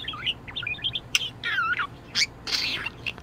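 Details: A cheerful budgerigar in top spirits gives a quick run of high chirps, then a scratchy warbled phrase and a few loud tweets with brief gaps between them.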